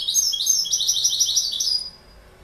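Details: Goldfinch song: a rapid, bright twittering run of tinkling notes high in pitch, lasting about two seconds before fading to quiet.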